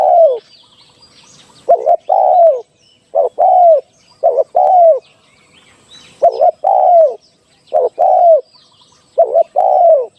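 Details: Decoy spotted dove calling for trapping: seven low, hollow phrases, each a quick clipped double note then a drawn-out falling coo, at uneven intervals, with faint high bird chirps behind.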